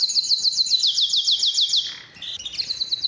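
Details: Canary of the Belgian type singing to lure females and coach young birds: an even run of quick high chirps, a short dip at two seconds, then another fast trill.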